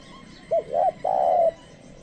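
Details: Decoy spotted dove calling to draw in wild birds: a brief clipped opening note, a rising throaty coo, then a sustained, flat, hollow coo lasting about half a second.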